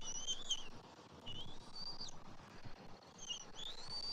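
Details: Bald eagle at the nest on a Saturday morning, 27 January 2024, as the father delivers fish and feeds an eaglet; thin, high whistled calls slurring down, in several drawn-out phrases over steady background hiss.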